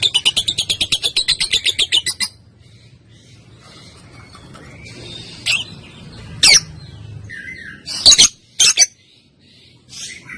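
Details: Female lovebird used as a master recording to teach other birds, opening with a fast, even run of rasping ticks for two seconds, then scattered sharp shrieks and short chirps.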